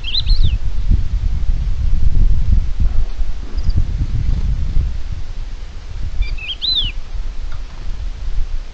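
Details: A common buzzard gives two high, mewing calls that rise and fall over a heavy rumble of wind, during a failed hunting attempt, 15 February 2023, Spain.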